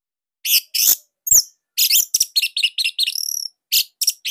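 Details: Orange-headed thrush, Bali type, singing its master song for training young birds: dense, loud, varied high chips and slurred whistles in quick succession, including a brief trill.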